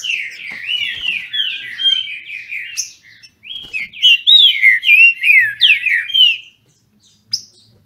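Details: Captive green-winged saltator (trinca-ferro) from a registered Brazilian breeder, singing in a competitive duel: loud, rich whistled phrases of slurred rising and falling notes, briefly pausing near the middle, then a burst of rapid warbled notes and a short final note.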